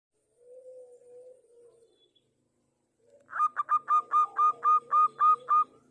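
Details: Local zebra dove in full song, used as a lure recording to prompt other zebra doves to sing: a soft low coo, a pause, then a fast series of about nine crisp, evenly spaced staccato notes over a lower purring coo.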